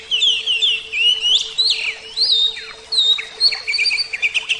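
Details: Oriental magpie-robin of the Javan type, a captive songbird, pouring out varied whistled phrases, swooping slurs and scratchy notes, ending in a fast stuttering series; a low steady hum underneath.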